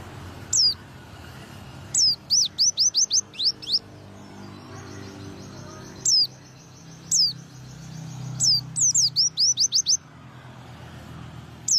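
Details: Freshly bathed white-eye in the morning, pouring out high descending whistled notes, single calls alternating with rapid bursts of five or six swooping notes, over a soft low background hum.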